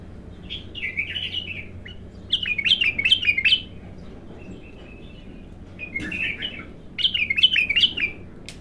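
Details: Raw, untrained bulbul at its first singing session, giving repeated quick warbled phrases of rising and falling whistled notes, separated by brief pauses and faint thin whistles.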